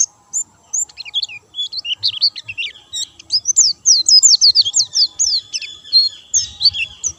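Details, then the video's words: Vigorously singing white-eye, not given doping, delivers rapid high twittering: scattered thin chirps at first, then a dense run of sliding, downslurred notes about three per second-fraction, ending in a few looser whistles. "burung pleci gacor dor tanpa doping"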